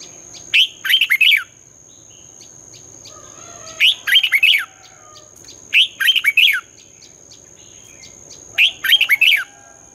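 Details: Morning song of a red-whiskered bulbul in the 'giọng xoắn' (twisting voice) style, meant for training young birds in competition singing: four quick warbling phrases, each of several bright slurred notes, spaced about two to three seconds apart over a faint constant whine.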